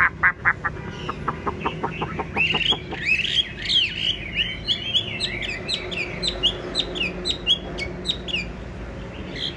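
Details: Yellow-billed, yellow-legged Chinese hwamei kept as a tame cage bird: a burst of sharp clicks opens, then a long, rich, rambling warble of high whistled notes follows.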